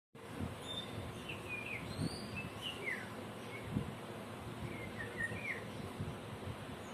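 Small birds give scattered, brief chirps and slurred whistles, some rising, spaced irregularly over steady low rumble and outdoor background noise.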